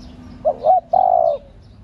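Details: Female spotted dove calling to stimulate male doves: a short low cooing phrase of two quick hooting notes followed by a longer, steady drawn-out coo, clear against a quiet background.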